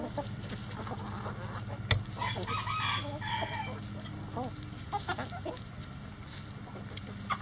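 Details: Rooster crowing at a chicken coop, a drawn-out harmonic crow of about a second mid-clip, fairly distant, over steady low hum and scattered hen clucks.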